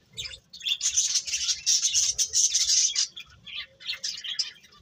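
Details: Birds chirp in a rapid high twitter that builds into a sustained, thin, whistled chatter in the middle before breaking into scattered tweets.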